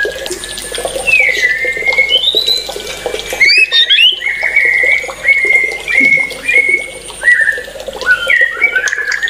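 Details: White-rumped shama singing steadily: a run of clear whistled phrases, some rising and some falling, with sharp high flicks near the middle, over a constant low hum.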